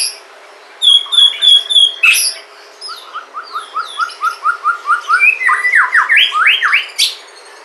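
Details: Sumatran white-rumped shama giving a prompting song for other shamas: a run of high repeated notes, a long chain of quick, even chips, then loud, rich, rolling phrases sweeping up and down.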